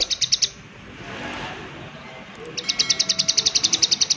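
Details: Prinia giving its 'klik klik' call: two bursts of rapid, high, dry clicks, a brief run at the start and a longer steady series after a quiet gap, over faint background hiss.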